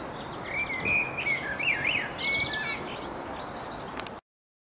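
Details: Songbirds around Bedhampton Railway Station delivering a varied warbling phrase of rising and falling whistled notes, with fainter high chirps layered behind and a steady low hum.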